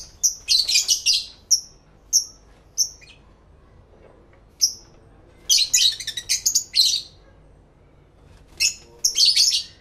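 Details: Several pet lovebirds singing and talking to each other, captured in stereo with two external microphones: clusters of piercing chattering notes alternate with spaced single high chirps and short pauses.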